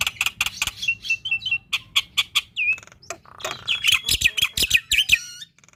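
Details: Black-winged myna in lively full song, meant to stimulate young and quiet birds: sharp repeated clicks and chips, short looping whistles and a raspy buzzy passage, loud and high.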